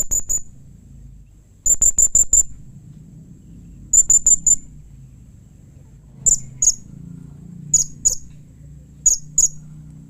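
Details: Repeated bursts of four rapid, shrill, high chirps from a blue-crowned hanging parrot, later giving way to spaced pairs of sharper notes, a call described as quickly answered by other hanging parrots.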